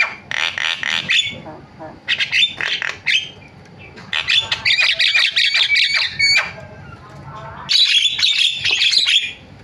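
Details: Javan myna singing a varied fill-in song in loud phrases of harsh, grating chatter and buzzy rattles, separated by short pauses, with occasional clear whistled notes.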